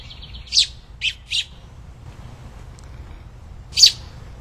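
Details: Hand-fed robin nestlings, two babies whose nest fell during spring tree trimming: a short burst of three high chirps, then one more squeak after a pause, over low background noise.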